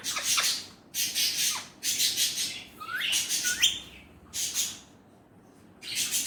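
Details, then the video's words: Talking Indian ringneck parrot imitating Urdu/Hindi words: a series of short raspy syllables in bursts about a second apart, with a couple of whistled rising-and-falling slides in the middle and brief gaps between phrases. "Indian ringneck parrot amazing talking parrot Mitthu || alexandrine parrot voice talking Urdu/Hindi"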